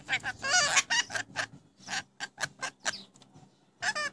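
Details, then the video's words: New pet rainbow lorikeets talking like crazy: a fast, warbling string of curving, speech-like syllables, then shorter clipped notes at an uneven pace and one last wavering phrase. "My Rainbow Lorikeets talking like crazy"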